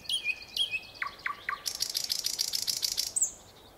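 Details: Nightingale delivering descending whistled notes, then a dense rattling burst of rapid clicks over about a second and a half, ending with a high squeak.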